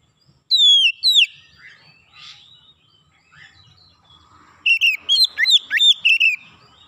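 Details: Oriental magpie-robin calling: two loud, clear whistled notes sliding down, then a quiet pause with soft murmurs, then a fast burst of bright, sharply falling whistles and chirps repeated several times.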